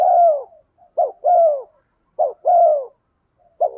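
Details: Spotted dove coos used as a lure so wild birds answer, fast-paced: short note then drawn-out falling coo, repeated about every second and a quarter, clean and loud.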